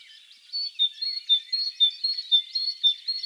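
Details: Great tit (Parus major) in spring in the wild, giving quick high notes that alternate between two pitches about four times a second, over a busy background of other birds chirping.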